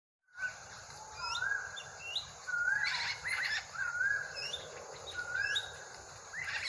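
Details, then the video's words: Drongo, said to sound like a crow, giving clear whistled notes that slur upward and downward, repeated at irregular intervals. Other birds call in the background over a steady hiss of insects. "Burung srigunting mirip gagak"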